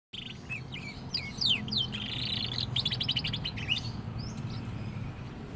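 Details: Young canary beginning to sing freely: rapid buzzy trills and sharp rising and falling whistled notes in quick succession. A low steady hum sits underneath.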